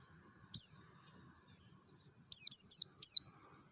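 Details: Wild mountain white-eye from Merapi, a forest-style recording used as a lure to get other white-eyes singing: one thin, high, downslurred chirp, then a pause and a quick run of three similar sharp falling notes.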